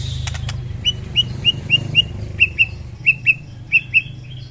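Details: White-rumped shama in the morning, singing to raise other shamas' emotion. Short high whistled notes repeat at fairly even spacing, about two per second, over a constant low hum.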